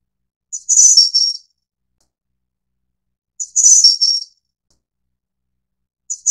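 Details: Snowy-browed Flycatcher, Taiwan endemic subspecies Ficedula hyperythra innexa, giving thin, very high, squeaky phrases of three or four quick notes that drop slightly in pitch, repeated about every three seconds against complete silence.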